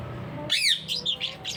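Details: Parrot indoors giving one harsh, sweeping squawk followed by a few short high chirps over a quiet room background.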